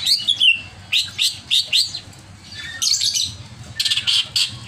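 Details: Over-agitated greater green leafbird giving short bright chips and squeaky notes in clusters, then dense high scratchy bursts near the end, with a low hum underneath.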